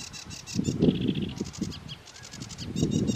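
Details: Sedge warbler at Lauwersmeer showing off its varied repertoire: rapid, buzzy, chattering phrases of repeated high notes in quick bursts, over a steady low rumbling background.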